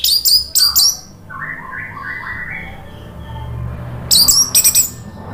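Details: Orange-headed thrush song played to prompt a silent bird to sing. Short bursts of very high, sharp whistled notes frame a soft run of lower descending warbles, with a steady low hum in the background.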